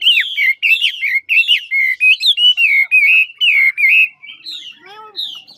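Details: Chinese hwamei of the ngũ trường style from Lạng Sơn in supple song: about ten loud clear slurred whistles in even sequence, each rising then dropping, ending in softer scattered notes.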